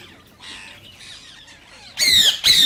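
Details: Rose-ringed parakeet, green Indian ringneck, calling to encourage singing and mating: faint rough chatter, then two loud, shrill, grating squawks near the end.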